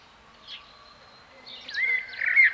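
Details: Common blackbird giving a fluted whistled phrase near the end, a smooth rising then level note with a squeaky high flourish, after faint chirps from other birds.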